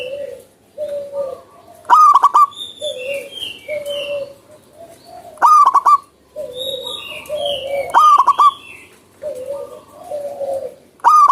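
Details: Busy wild zebra dove sings five loud, fast-stuttering coo phrases about every two seconds, mixed with low mellow hoots and high sliding whistles from other birds.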